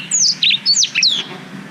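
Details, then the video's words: Black-throated canary song used as a master recording for training young canaries, recorded on a GoPro Hero 5: a quick series of high, sharp descending whistled notes and trills, with faint low background hum. "Suara Blackthroat Durasi Panjang Untuk Masteran Kenari"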